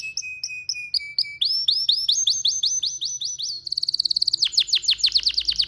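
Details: Domestic canary, male, singing a relaxing melodic song: steady whistled notes, then repeated rising slurred phrases, then a fast run of bright downward sweeps, all clear and high-pitched.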